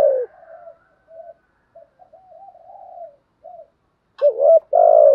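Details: Spotted dove giving soft, low murmured coos in the bản thúc with coos style, then one loud phrase of a wavering coo and a long, steady coo.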